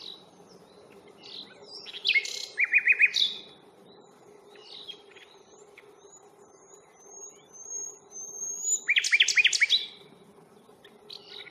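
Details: Nightingale heard on a stroll around the Fingringhoe reserve on 1 May. Two bursts of fast, harsh, jumbled notes are separated by soft chirps and a faint thin whistle series.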